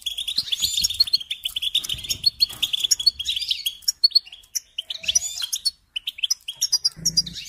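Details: European goldfinch in full song, a hurried twitter of high chirps, buzzy notes and tinkling trills, thinning into scattered phrases after a short pause, with a faint low thud near the end.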